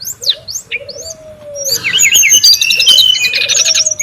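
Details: Brown-chested jungle flycatcher calling noisily in the wild, recorded as a lure and tutor sound: short forked chirps and a long low whistle, then a dense stretch of high twittering and whistled notes over another low whistle.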